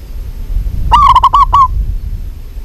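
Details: Local zebra dove in a lively song: one phrase of about six quick cooing notes, clipped and hollow, held at a steady mid pitch. Low rumbling noise sits underneath.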